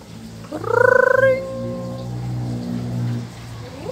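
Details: A Nias hill myna imitates R2-D2 from Star Wars: a quick warbling, rising electronic whistle that settles into a long steady tone over a low background hum.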